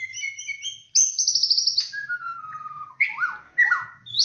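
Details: White-rumped shama of the Aceh, Bahorok, Borneo, Medan or Nias black-tailed forms, singing a varied phrase: thin high notes, a rapid trill, then a long falling whistle and rich slurred notes, with no other sounds.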